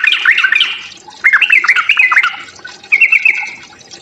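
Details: Sooty-headed bulbul fighting song used to stir other bulbuls: loud warbled, slurred phrases in two bursts, followed by a brief fast twittering trill.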